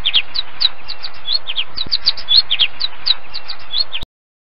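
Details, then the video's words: A small group of finches gives a steady stream of short, high chirps and tweets, several a second, overlapping. "Finch bird Sounds and calls"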